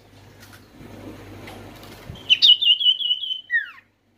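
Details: Oriental white-eye singing vigorously, used to lure lazy, stressed or flock-kept white-eyes into song: after about two seconds of low background rumble comes a fast, high trilled phrase, ending in a short descending slurred note.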